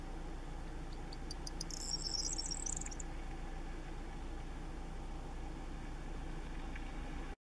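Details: Corn Bunting, a ground-breeding field and meadow bird, gives a single high song phrase of accelerating clicks merging into a bright, jangling trill, over a constant low engine-like rumble.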